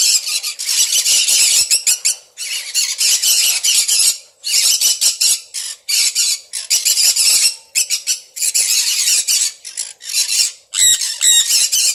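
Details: Pet Sun conure, kept with red factor birds, giving harsh, shrill screeches in long bursts of a second or two each, broken by short pauses, with grating squawks near the end.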